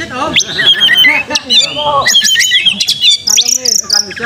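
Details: Oriental magpie-robin song aimed at raising a fighting mood; rich, varied phrases mixing lower warbled notes with high whistles and quick rising flicks, ending in a bright sustained whistle sequence.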